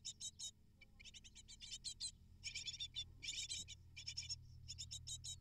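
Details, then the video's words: Eight hungry great tit nestlings begging while parents deliver prey; dense, raspy chattering bursts in quick succession, some longer buzzy runs, steady low background hum. "Amazing Great Tit Parents Deliver 12 Prey To 8 Hungry Nestlings In Just 12 Minutes!"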